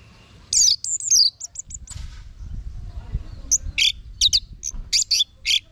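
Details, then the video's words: Orange-headed thrush singing, from a lure and tutor recording: high sweeping whistles and repeated clipped notes, a pause with low rumbling background, then a scatter of sharp, varied chirped notes. "Guru Vokal ANIS MERAH Agar Selalu Ikut Nyaut Ngeplong di Rumah"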